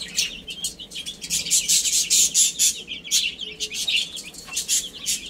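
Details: Several chicks feeding and playing. Shrill chirps come amid dense bursts of crisp, broadband rustling and tapping that pulse every half second or so and partly cover the calls.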